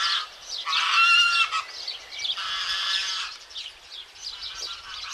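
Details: Goslings in a green meadow at Vovousa, Zagorochoria, Greece, photographed 7 July 2023, calling with thin, high, slightly harmonic peeps in overlapping bursts, loud then fading, with brief pauses between flurries.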